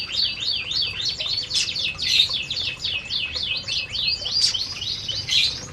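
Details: Canaries in an aviary at feeding time keep up loud, rapid twittering; zigzagging high notes overlap steadily from start to finish.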